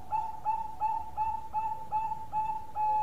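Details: Bangkok zebra dove in full long-voiced song: a steady series of about eight short, pure, mellow coo notes, roughly two or three per second, ending on a longer held note, with a low rumble underneath.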